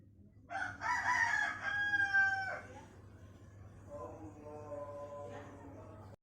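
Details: Crowing Pelung rooster, a breed whose crow lengthens as the bird matures, with melodious curving cengkok inflections. A loud, rich crow of about two seconds is followed by a softer, drawn-out tonal tail, with a steady low hum beneath.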